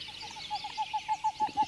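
Pied-billed Grebe giving a quick series of hollow, mid-pitched notes, about six a second, steady in pitch and growing louder toward the end.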